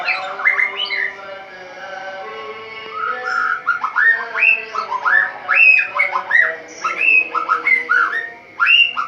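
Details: At dawn a caged white-rumped shama delivers ngeplong-style song: rich, repeated upslurred whistles and fluty notes in lively bursts, over a steady humming background.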